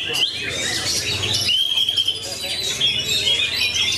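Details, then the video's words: Magpie-robin of the type called kacer matador, shown performing: clear whistled notes, with long sliding whistles and a bright rising phrase, over a busy background of other chirping birds. "SIAP BERSAING DENGAN KACER MASAKINI KECER MATADOR TAK KENDOR"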